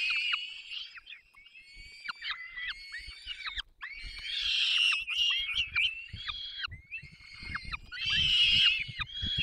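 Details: High, rasping begging squeals from peregrine falcon chicks as both parents feed them at a nest in the Barycz Valley, Poland, 3 May 2024; the calls surge in loud bursts with quieter stretches between.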